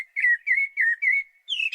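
Common Blackbird singing a verse of four unhurried, mellow whistled notes, ending in a brief, squeaky, higher-pitched twiddle.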